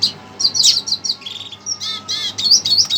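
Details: Red siskin reacting excitedly to a played recording, giving a continuous jumble of high twittering notes, buzzy trills and short nasal chirps throughout.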